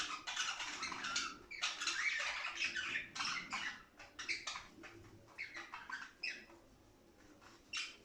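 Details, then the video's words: Budgerigars during mating, meant to spur other budgies toward play and breeding: dense, harsh scratchy chatter in rapid bursts, loudest at first, thinning and fading over the final seconds. "صوت تغريد لتنشيط طائر البادجي علي اللعب والهيجان والتغريد والتزاوج"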